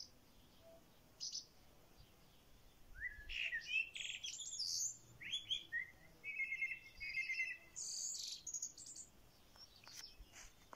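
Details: Songbird heard from a corral, giving a varied, high warble of sharp chirps, quick slurred notes and short buzzy trills in bursts over about ten seconds. Faint background hiss is present.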